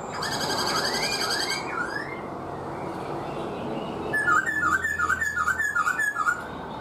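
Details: Black-throated laughingthrush, a caged bird kept four months and trained by its owner: rich rising and falling whistles, then a run of six clear, looping whistled notes in quick succession.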